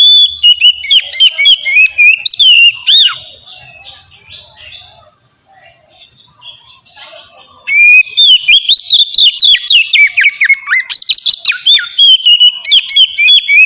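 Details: Oriental magpie-robin ngeplong song used as a lure for young birds; bright varied whistles and chattering chips for three seconds, a quiet gap of about four seconds, then an even denser stretch of loud whistled phrases.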